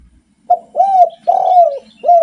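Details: Spotted dove singing actively, good for stimulating other doves: a short clipped coo followed by two longer, slightly descending hollow notes and the start of another, all in a low mellow pitch.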